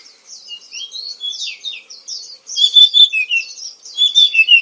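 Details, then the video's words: Kacer or oriental magpie-robin, a black-and-white Indonesian songbird: quiet high warbling at first, then a louder run of clear sustained whistles and downward-sliding notes in the second half. "KICAU BURUNG KACER YANG MERDU || MAGPIE ROBIN VOICE"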